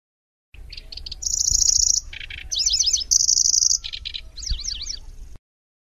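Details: Lanceolated warbler song used as a tutor for magpie-robins and kacer, with grasshopper-like chatter, rolling trills and sharp shots: clipped high notes, a long buzzy reel, a low rattle, wavering trills and further stuttered bursts.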